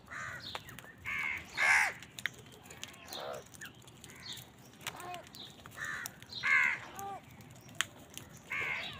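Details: Crows contend with wild birds over food, giving coarse, drawn caws at irregular intervals, some loud and some distant, over a steady hiss of background noise and faint chirps.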